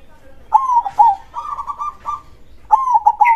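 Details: Zebra dove singing a loud crossing-style song: warm rolling coo phrases, a short rising note leading into a longer trilled coo, then a brief pause and another burst, with a faint chirp at the end.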